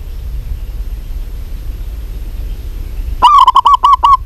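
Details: Vigorous local zebra dove calling. After a quiet stretch, a rapid string of about seven clipped, mellow cooing notes with a slightly rising start, over low hum.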